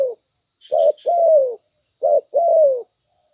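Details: Spotted dove cooing in lure audio: a short note and a long, gently descending coo, twice, with a faint high buzzing in the background.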